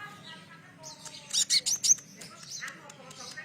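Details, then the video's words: Sunbird singing on a training recording for caged birds: a short cluster of sharp, very high chirps rising in loudness midway, then softer twittering, over faint background hum. "100% nyaut pancingan masteran burung konin isian cililin"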